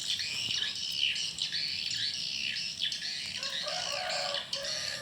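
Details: Many swiftlets twittering continuously at a mini swiftlet house at dusk: sharp, high chirps overlap densely, and short lower squeaky notes appear toward the end.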